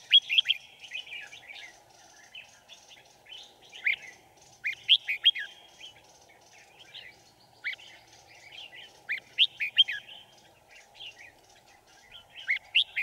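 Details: Decoy red-whiskered bulbul luring wild birds to a trap, 5 January 2018: repeated bright whistled phrases with sharp sweeping notes, about thirteen bursts a minute at uneven intervals, mixed with softer chatter, over a steady drone.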